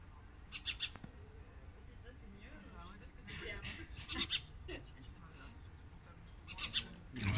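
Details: House sparrow at Louvre Abu Dhabi on 26 January 2022, giving short, sharp chirps in scattered bursts over a low background rumble and murmuring human voices.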